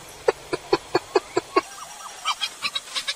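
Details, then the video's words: Purple gallinule (kalim), a recording used to lure birds for hunting: a run of short nasal harmonic notes repeated about four times a second, then softer, higher clucking notes with a faint background hiss. "কালিম পাখির ডাক। Purple Gallinule । Swamphen"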